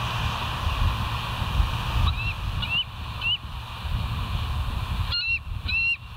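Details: Bald eagles of the West End, caught by a live nature cam on 1 September 2023 at 07:06 in the morning: high, thin, chirping whistled notes given singly and in quick pairs, over a steady low rumble of wind or surf.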